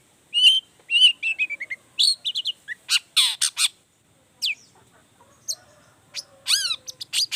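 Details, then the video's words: Long-tailed shrike singing loudly to spark replies from other shrikes. Descending chattered phrases and harsh bursts are followed by a pause, then sharp rising notes and downslurred whistles. "Toetan Cendet Gacor Full Emosi Bongkar Materi Bikin Cendet Lain Langsung Panas Nyaut Ikutan Bunyi"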